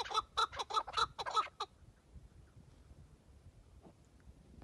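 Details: Tethered chukar partridge decoy calling ahead of a hunt: a brief burst of six rapid harsh clucks in the first second and a half, then only low background rumble.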